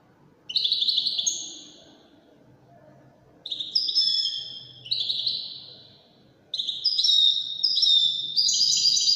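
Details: European goldfinch of the Wedani style singing three phrases of high layered twitters and descending buzzy notes, the last phrase longer and denser, with light low background noise between.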